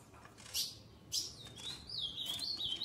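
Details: Female ultramarine grosbeak soliciting mating. Two loud, sharp chips a half-second apart, then a thin, high, wavering whistle that dips and rises for over a second.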